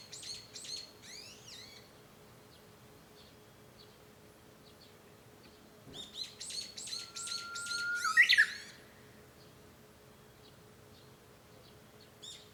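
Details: Japanese bush warbler from home on 5 May 2013: bursts of rapid, repeated slurred notes, a pause, another fast series, then a long whistle ending in a loud, emphatic flourish. A brief thump sounds midway.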